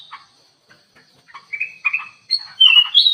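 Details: Black-capped bulbul singing actively inside an aviary: soft chirps build into louder whistled phrases with a harsher chattering edge, ending in bright high warbles, over a steady high whine.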